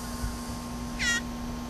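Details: One brief, harsh shriek from a captive blue jay that shrieks when hungry while being hand-fed, quieter than the room hum around it.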